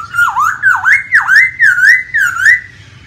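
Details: Masked laughingthrush singing in the wild: a loud run of five swooping whistled notes, each dipping then rising, repeated about every half second over low steady background hum.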